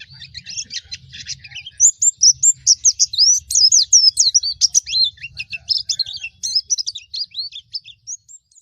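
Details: Indonesian white-eye, Baduy variety, pouring out a long, energetic stream of sharp, high, twisting chirps at roughly two per second or faster, nearly continuous for over eight seconds, with a soft low hum beneath.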